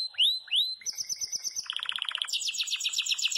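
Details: Yellow Belgian canary in full song: two rising whistled notes, then fast rolling trills at changing pitches, ending in a bright high chatter.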